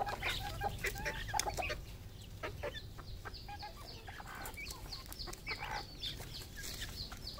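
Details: Several red junglefowl on a farm in Cambodia cluck in short, irregular, overlapping bursts at a quick pace over a low rumbling background.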